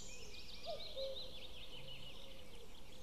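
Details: Common cuckoo calling at 05:53 on 12 May 2016: a single two-note call, a short higher note dropping to a lower held one, beneath a busy chorus of high twittering songbirds and a faint low hum.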